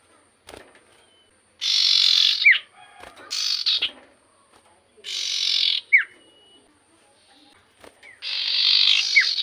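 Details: Common iora singing steadily: four broad, harsh buzzy phrases, several ending in a short sharp downward whistle, separated by gaps of about two seconds.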